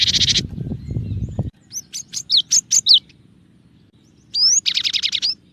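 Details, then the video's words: Cinereous tit (gelatik batu) singing varied 'tembakan' phrases, recorded as a clear-voiced tutor recording for songbird keepers: a buzzy burst, a low rumbling noise, then a run of sharp whistled notes, and a rising whistle followed by dense buzzy notes. "suara burung gelatik batu dengan variasi tembakan banyak yang nyari"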